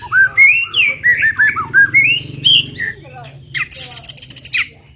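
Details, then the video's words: White-rumped shama song aimed at provoking other birds: bright looping whistles in quick sequence, then a softer gap and a harsh rapid rattling burst near the end. "TEMBAKAN MURAI BATU PEMANCING EMOSI AMPUH BIKIN AMPUH BIKIN MURAI CEPAT BUNYI"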